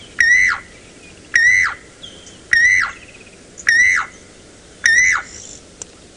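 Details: Levaillant's cuckoo heard at sunrise (about 5 AM) on 3 January 2018 in the Sabi Sands, South Africa, giving its loud repetitive call: ringing, slurred notes that rise then drop, five in six seconds, over a quiet background.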